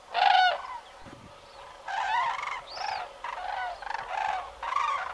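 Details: Large wintering flocks of common cranes, adults and a brown-headed juvenile, in the Alentejo, Portugal, where they stay November to February, give loud, rolling, harsh trumpeting calls about every second, several birds overlapping.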